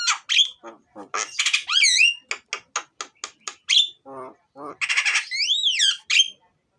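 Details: Black-winged starling song used as a lure to make birds sing: a loud, varied stream of harsh squawks, rapid clicking bursts, buzzy notes and rising-falling whistled sweeps, with pitch jumping between low rattles and high piercing calls.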